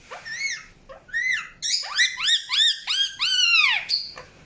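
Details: Indian ringneck parakeet chirping: a run of loud, harsh, harmonic squawks that rise and arch downward, about two per second, with brief gaps between bursts.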